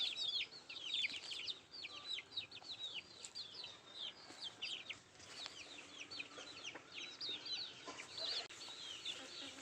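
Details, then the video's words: Country chickens at their food, a flock of high-pitched, downward-sliding peeps chattering almost nonstop, loudest at the start and thinning slightly toward the end. "Nattu kozhi Food eating and sound effect"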